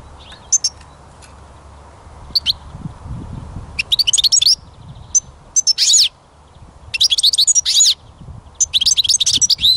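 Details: Recorded during songbird trapping, a European goldfinch sings repeated bursts of rapid twittering, tinkling and buzzy chirps, phrases one to two seconds long separated by short pauses.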